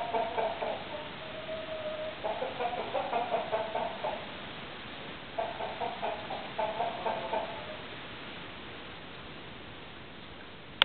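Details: Domestic chickens and roosters kept together as a flock, giving bursts of quick, nasal clucks in clustered runs separated by short quiet gaps, with one brief steady held note between the bursts.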